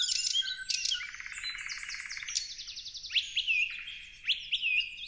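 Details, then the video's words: Parrot calls: loud buzzy rattling squawks at first, then a sequence of sharp upslurred whistles with brief hooked notes, repeated roughly every half second. "Most Amazing Parrots On Earth | Colorful Birds & Relaxing Nature Sounds"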